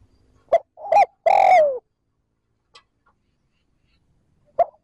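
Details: Lure spotted dove cooing trơn ròng to excite wild doves. One complete phrase of brief hoots and a sustained, falling coo, then near silence before the first note of the next phrase.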